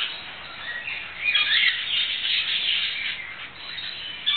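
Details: A green-cheeked conure (Pyrrhura molinae), held in the hand and rolling about, gives a steady stream of scratchy, chattering chirps, several each second, with a harsher squawk near the middle and end.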